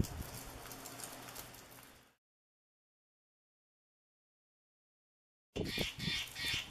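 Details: A Steller's jay in the Pacific Northwest gives a quick run of harsh, raspy, crow-like calls at the end, after a hissy stretch of background noise and a silent break.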